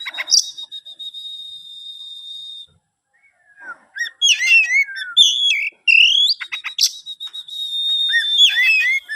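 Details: Captive-bred oriental magpie-robin holding a long steady whistle, falling silent, then breaking into a rich jumble of slurred whistles, rising notes and fast chattering phrases.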